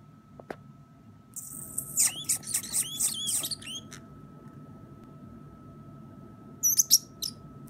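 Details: A 9-year-old pet Pacific parrotlet chews and picks at things while talking a little, indoors, recorded in September 2017: high squeaky chirps and chattering notes around two to four seconds, a short squeaky burst near the end, a constant electrical hum, and a person speaking softly.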